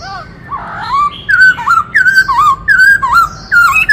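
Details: Varied song of a black-throated laughingthrush performing its dance display: a rough opening note leads into loud, wavering whistled phrases, each a quick up-and-down slur, given in fast succession.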